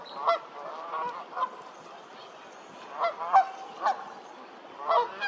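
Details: Canada goose honking: short loud harmonic honks repeated at uneven intervals, about seven bursts over five seconds, with fainter honks of other geese in between.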